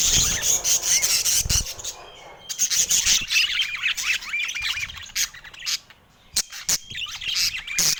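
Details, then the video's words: Budgerigars kept as pets sing happily on a sunny San Diego morning, giving sharp squawks and quick wavering, twittering warbles in bursts, with brief pauses between phrases. "Happy Budgies Singing in the Sunshine San Diego Morning Chill"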